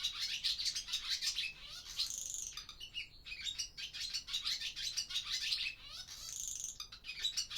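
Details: Several barn swallows chatter inside an old barn in daytime as breeding season begins. Continuous high squeaky twitters mix with harsh buzzy rattles and short rising whistles, swelling and easing every few seconds. Recorded on a Zoom F6 with a Sennheiser MKH mic.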